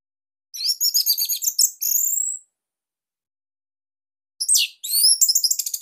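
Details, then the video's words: Orange-headed thrush of the Bali type in captivity singing a loud master song for training other birds: a rapid sequence of high trilled whistles, a long silent gap, then another fast twittering phrase. "Kicauan ANIS MERAH Ini Cocok Buat Masteran Burung Sahabat Dirumah"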